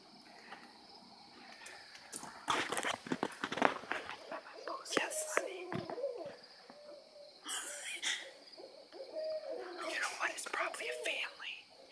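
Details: Several owls calling excitedly at night, described as going nuts; bursts of hooting and chattering calls come in clusters, with quiet whispered human voices and faint rustling underneath.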